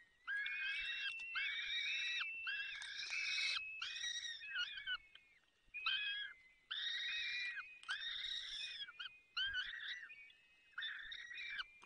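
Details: Peregrine falcon nest in the Barycz Valley, Poland, 30 April 2020, while the male feeds the chicks torn-off bits of prey: harsh overlapping wails run together with thin, high whistling notes threading between them.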